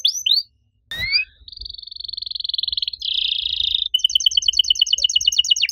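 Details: Canary singing loudly in a unique style: two rising whistles, a sharp click, then long smooth rolling trills and a buzzy roll, followed by evenly pulsed notes, with a faint low rumble beneath.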